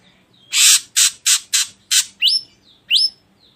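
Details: Ashy drongo used as a singing lure: five rough, hissing rasps in quick succession, followed by two sharp upward-sweeping whistles.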